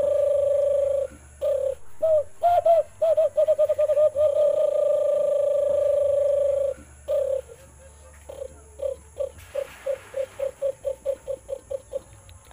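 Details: A White-eared brown dove in the Philippines gives hollow, mid-pitched hoots, some drawn out for several seconds, then a run of short notes that speeds up toward the end.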